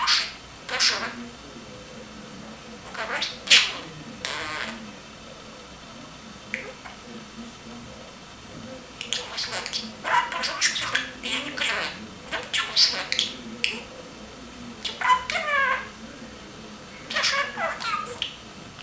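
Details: A male pet budgerigar on his cage chatters in quick, raspy, speech-like bursts, mimicking human words in a high, scratchy voice.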